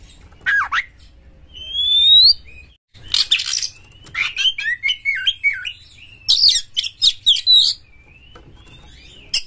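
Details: Aggressive Oriental magpie-robin (kacer galak) singing to spur other birds into song: a falling note, drawn-out rising whistles, then loud, varied phrases mixing buzzy chatters, slurred whistles and rapid chips.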